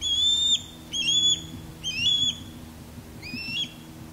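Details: Osprey courtship calling during a male sky dance low over a backyard, with a female calling from a longleaf pine, recorded on an external microphone with wind screen: four clear, high whistled notes, each slightly rising, spaced about a second apart, over faint low hum.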